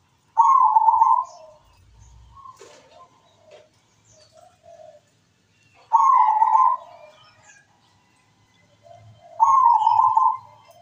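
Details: Zebra dove song repeated three times roughly every four to five seconds: loud rolling coo bursts fading into soft lower notes, with faint background knocks in between.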